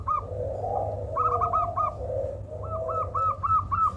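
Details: Zebra dove giving an unusual call said to be good for luring birds: quick series of short, rising-falling whistled notes repeated rapidly, over a soft low cooing and a constant low hum.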